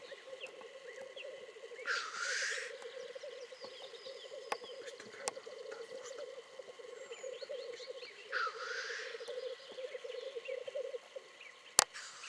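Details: Black grouse lekking in spring 2010: a steady, low bubbling coo runs throughout, broken twice by loud hissing sneezes. Faint calls of other birds sound in the background.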